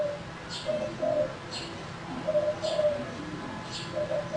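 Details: Male spotted dove kept as a lure bird, quieter here, its soft coos repeating under a background of brief high chirps from other birds about once a second.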